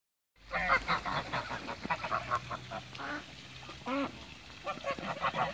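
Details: Mature and young Toulouse geese swimming in a backyard give a rapid run of short, nasal honks, several birds overlapping in quick bursts, with a few louder harsh notes near the end.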